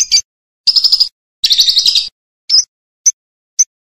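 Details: Champion lovebird with a loud, pleasant voice, used as a training model for other birds: short buzzy chattering bursts followed by a few clipped high chirps, one dipping then rising.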